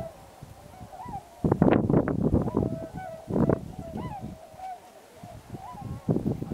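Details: Many Tundra swans gathered at Pocosin Lakes National Wildlife Refuge, Pungo Unit, during waterfowl migration: a dense chorus of overlapping mellow honking and whooping calls, some with rising inflections, broken by low rumbling thumps.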